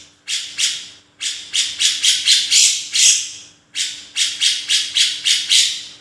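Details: Black-crested bulbul singing: bursts of harsh, buzzy, broadband notes repeated in quick rhythmic groups, a few notes per phrase, with short pauses between phrases and a faint steady hum in the background.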